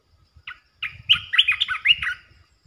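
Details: Resident Asian red-eyed bulbul holding territory gives a lively phrase of rapid, chattering, bubbly notes lasting about one and a half seconds. Faint low thumps sound in the background.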